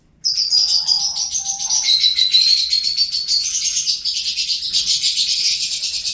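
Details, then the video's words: Singing pet lovebird delivering an unbroken six-second stream of fast, scratchy, high-pitched chattering that wavers slightly in pitch, with a few lower tonal notes early on. "LOVEBIRD SINGING"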